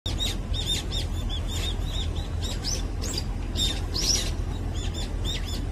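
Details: Brown-eared bulbul, a common resident bird of Korea, feeding in the morning; short, high, arched chirps repeated irregularly, several overlapping, over steady low rumbling background noise.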